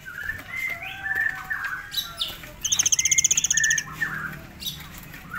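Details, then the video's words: {'caption': 'Tame forktail master song in ngitir style: level whistled notes and short slurs, a dense high buzzy rattle midway, then more whistles over a faint background hiss.'} "murai air jinak ngitir"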